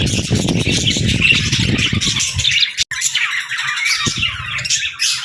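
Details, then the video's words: Several pet budgerigars keep up busy squeaky chatter, with heavy low rumbling over the first half, a sudden brief dropout, then clearer chirping. "Bird Chirping Sound"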